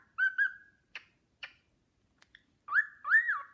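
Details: Caged cockatiel whistling a melody, the Sportpalast Waltz, as a companion bird looks on adoringly; two short whistled notes, a pause with soft chirps, then two louder arching whistles at the end.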